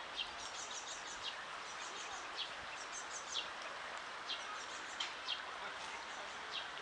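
Ducklings give thin, high peeps in short bursts, scattered irregularly every second or so over a steady background hiss.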